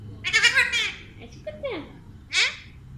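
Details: Pet Alexandrine parakeet talking in a room, with a harsh, raspy burst of syllables followed by a short falling slur and a final scratchy, screech-like note, with a low hum underneath.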